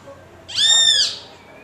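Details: A great kiskadee calling to a mate of its species gives one loud, slightly arched, reedy note lasting about half a second, with a quiet background.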